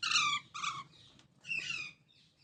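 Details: Baby parrots calling in quick harsh squawks, two close together then a third after a brief pause, over low background noise.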